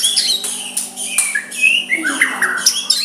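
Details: Soft provoking song of a white-rumped shama aimed at drawing a rival's reply; dense run of whistled slurs, sharp upslurs and raspy bursts, with a steady low hum behind.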